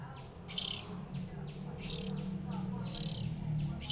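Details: Oriental magpie-robin, one of three sibling birds, singing: loud, harsh, buzzy high bursts about once a second, with faint downward-sweeping whistles between them over a steady low hum.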